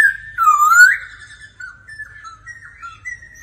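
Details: Laughingthrush singing in daily voice practice alongside a female, with a loud, rich whistled phrase that dips and rises, followed by softer, wavering whistled notes trailing off.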